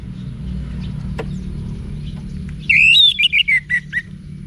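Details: Orange-headed thrush song used to train caged birds, from Bali, Indonesia: after a long hum-filled pause, a short bright phrase of rising then falling whistled notes, about eight quick syllables.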